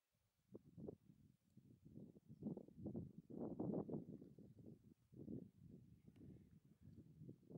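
Black grouse giving a low, bubbling, dove-like cooing that rolls on without pause in overlapping phrases, with faint rustling behind.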